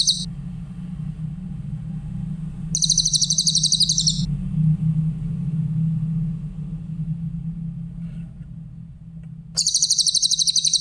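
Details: Grey-headed canary-flycatcher recorded for training other songbirds. Three bursts of thin, rapid, high-pitched trilling, each one to two seconds long, are separated by long gaps filled with a loud low rumbling hum.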